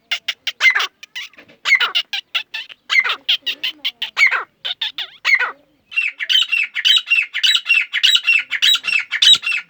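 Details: Grey francolin calling in jungle in Pakistan, a dense, continuous chatter of harsh rasping notes in quick bursts, pausing briefly then resuming as a steady rapid string of squawks.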